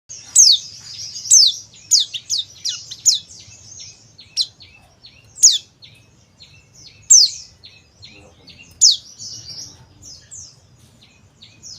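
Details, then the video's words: Male oriental white-eye from Bali, of the dakun type, calling as a lure: high, thin, sharply descending chips and short trills, loud notes recurring roughly every one to two seconds among softer chatter. "CALL PLECI JANTAN DAKUN BALI"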